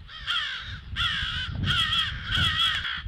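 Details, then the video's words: Alarm calls of crows at 08:50 on 18 February, four long, grating caws in a row, each drawn out and hoarse, separated by short gaps, over a low background rumble. "CROWS ALERT"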